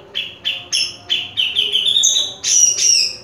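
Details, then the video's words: A caged grey-cheeked bulbul, called fierce, repeats short bright whistled notes about every third of a second, rising into a brief warbled run and ending with two higher, harsher whistles, low hum in the background. "cucak jenggot gahar"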